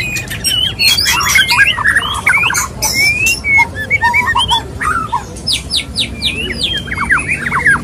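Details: Male white-rumped shama courting a female with a mating song: varied clear whistled phrases broken by sharp clicks, a bright rising whistle near the middle and a run of slurred downward notes toward the end.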